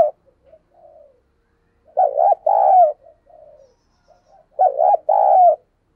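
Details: Spotted dove used as a caged decoy, its 'gáy sung' cooing intended to rouse newly caught doves: two deep phrases about 2.7 seconds apart, double-note opening then sustained coo, quiet gurgling notes filling the gaps.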